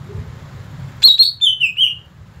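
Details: Cucak ijo, the greater green leafbird, delivers one loud whistled phrase: a sharp high onset, then a sequence of three or four slurred notes stepping slightly downward, following a quiet stretch with low hum.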